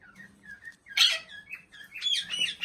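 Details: Indian ringneck parakeet kept as a talking pet gives soft whistled chirps, then a louder harsh burst and a run of mixed squeaky notes. A faint low hum runs underneath.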